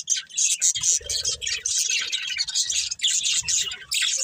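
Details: Budgerigar breeding pair kept at home, chirping in a busy high warble of scratchy notes and squeaky whistles, nearly unbroken, with faint soft thumps underneath.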